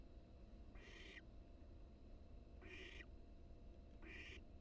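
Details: A wild barn owl chick inside its nest box on a live cam, building strength with wing exercises, utters three harsh, breathy hisses of half a second each, spaced about one and a half seconds apart, over steady background hum.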